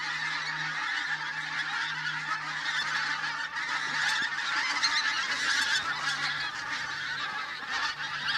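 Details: Flock of pink-footed geese calling during a blizzard at Campfield Marsh, Bowness-on-Solway; many birds give loud, overlapping high honks and yelping notes in a constant clamour that swells toward the middle.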